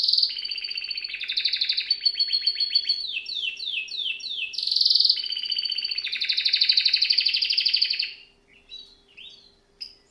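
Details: Canary singing vigorously: buzzy rolls, a run of descending chirps, a loud harsh burst, then a long rattling trill before the song fades into scattered soft notes.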